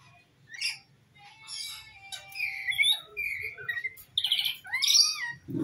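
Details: Vocal rainbow lorikeet, a recording meant to lure an escaped bird home: a mix of squeaky chatter, a long thin steady whistle, and rising and falling screechy notes, growing busier and louder toward the end.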